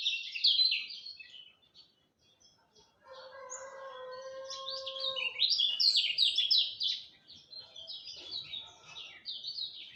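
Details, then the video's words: Lemon-bellied white-eye at dawn: a brief burst of high, rapid twittering, a pause, then a rooster crows while the bird resumes a long, lively run of slurred chirping notes. "Kicau Joss Kecial Kuning Subuh"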